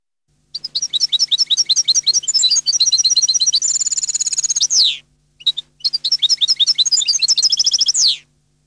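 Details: European goldfinch song, long and varied: rapid repeated high tinkling notes, a steady buzzy trill, and a downward slurred buzz, a short break, then more quick twittering ending in another falling buzzy slur; faint low hum throughout.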